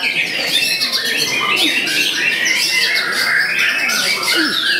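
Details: Murai batu (white-rumped shama) bowing while showing off a full repertoire: harsh buzzy chatters mixed with quick looping whistles and rapid clicking notes, dense and continuous.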